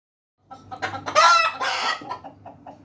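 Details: Hens and roosters calling: a loud burst of harsh, drawn-out squawking clucks with rising tones, followed by softer scattered clucks against a low steady hum.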